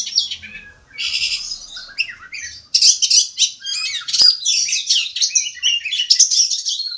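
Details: Master song of a kacer (Oriental magpie-robin) for contest birds: harsh buzzy bursts and rapid high chattering phrases, a short pause, then dense varied twittering with a sharp click midway.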